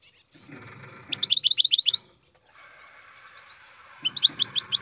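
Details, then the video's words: Captive-bred European goldfinch: two bursts of fast, descending high chips, each around a second long, separated by a quiet stretch with soft background hum. "Καρδερίνα εκτροφής "Αλέξανδρος"(Goldfinch carduelis singing"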